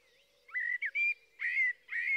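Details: Blackbird giving a few clear, level whistled notes followed by two fuller, slightly hoarse fluting phrases.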